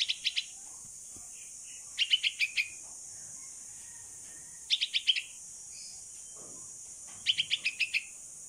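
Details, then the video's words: Rescued baby bulbul, or Pulangga, aged sixteen days, practising flying outside and calling to its mother. Bursts of four to six rapid, high chirps come roughly every two and a half seconds, some ending in lower notes, over a constant hiss. "Baby Bulbul Bird (Pulangga) Calling Mom While Practicing To Fly in the Open"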